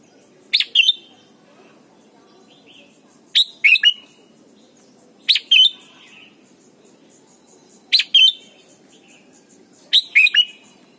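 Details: Thai red-whiskered bulbul song meant for teaching young birds to sing: five short chirpy two-part whistled phrases spaced about two to three seconds apart, with a steady low background hum.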